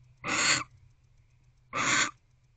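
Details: Barn owl in an owl box at 9:45 pm on 25 December 2023, unedited wild owls, waiting for its mate to return: two harsh, hissing screeches, each under half a second, about one and a half seconds apart, over a faint low hum.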